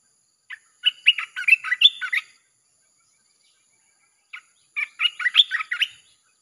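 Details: Red-whiskered bulbul delivering its 'sap' chopping song, played to lure wild birds: a quick run of bubbly, clipped whistles, a pause of about two seconds, then a second similar run.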